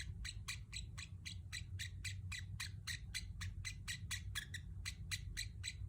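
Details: Pet Pacific parrot chirping steadily, with short, sharp notes repeated about four times per second in an even run over a low constant hum.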